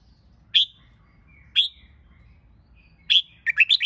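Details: Red-whiskered Bulbul song used to train birds for singing competitions: clear, ringing whistled notes spaced about a second apart, then a quick run of four bright, bubbling notes at the end. The background is quiet.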